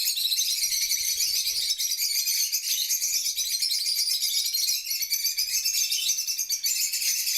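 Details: African lovebirds, a flock chattering continuously in dense, shrill, high-pitched overlapping chirps and squeaks with no pauses, steady throughout.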